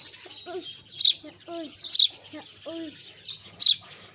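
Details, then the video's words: Golden sparrow giving sharp, high chirps about once a second, three bright bursts in a row, with lower, wavering tonal notes filling the gaps between them. "Natural Chirping Sounds of Sparrow/ Golden Sparrow"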